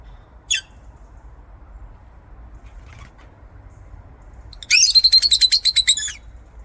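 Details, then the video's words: Lovebird chirping: after a lone sharp chirp and a faint note, a rapid run of about a dozen bright, clipped chirps follows in quick, even succession for over a second, all high-pitched and scratchy. "LOVEBIRD SOUNDS"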